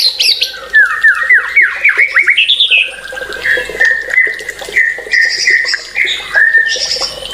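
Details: Energetic white-rumped shama song opens with a fast series of about eight sharply descending whistled notes, then a string of clear mid-pitched whistles and higher warbled phrases.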